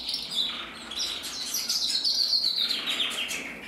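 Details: Male red mosaic canary from a breeder, recorded in 2024, singing a continuous, high, rolling warble of fast trills and twitters that rise and fall without pause.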